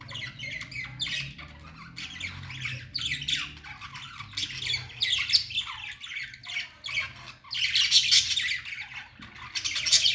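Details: Budgies singing happily: a continuous scratchy warble of quick chirps, squeaks and buzzy notes, growing louder and denser toward the end, over low hum.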